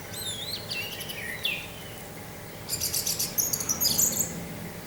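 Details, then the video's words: Anis merah (orange-headed thrush) giving 'teler' song with wind: descending whistled slurs followed by fast, busy high twittering and sliding notes, over a soft noisy background. "suara angin dengan suara anis merah teler"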